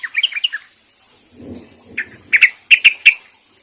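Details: Sooty-headed bulbul calling to others: a quick bubbly phrase of chirps, a pause with soft low noise, then a series of sharp, loud repeated notes.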